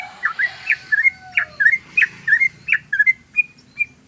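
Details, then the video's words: Yellow-vented bulbul giving rapid-fire ropel song used as a lure to attract other birds: bubbly, chattering short notes in quick clusters, about ninety per minute, with a faint low drawn-out whistle early on. "SUARA BURUNG TRUCUKAN ROPEL"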